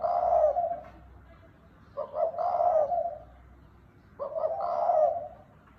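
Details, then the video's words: Spotted dove calling in the gáy gù style: three slurred, rough-edged coos spaced about two seconds apart, softer and more distant, with faint background hum. "Tiếng chim cu gáy đồng thúc bổi gáy gù"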